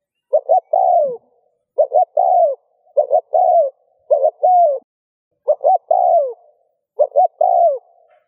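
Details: Spotted dove coo played to encourage other doves to coo: a regular run of phrases, two short notes then a drawn-out descending coo, about seven phrases in eight seconds.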